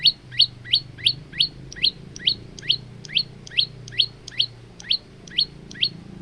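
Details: Male Olive-backed tailorbird in lively song, kept for training other birds: a steady series of sharp, rising chip notes, roughly three per second, over a low background hum.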